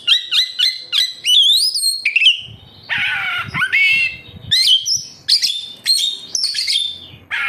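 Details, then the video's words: Energetic oriental magpie-robin song used as a lure to prompt captive birds to sing: rapid rising and falling whistles, sweeping upward slurs, harsh buzzy bursts and sharp chirps in quick, varied succession. "Suara burung Kacer, cocok buat Pancingan Kacer bahan agar tambah Gacor"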